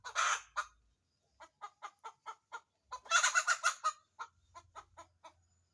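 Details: Chicken cackling after laying an egg: a loud harsh squawk, then a run of short evenly spaced clucks, another burst of loud rapid squawks, and more clucks trailing off.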